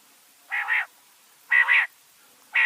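A quail gives harsh, double-pulsed notes about once a second against a quiet background.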